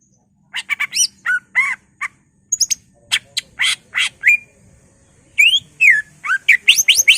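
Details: Greater green leafbird in full song, packed with mimicked phrases and used to provoke other leafbirds into agitation: varied clear whistles, rising and falling slurs, and sharp chirps in quick bursts, with a short pause midway.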